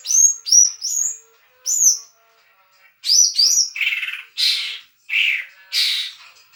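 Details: Leafbird singing a mimicked 'doraemon' fill: bright high whistled notes with quick downward slurs repeated in clusters, followed by harsher buzzy notes spaced about a second apart.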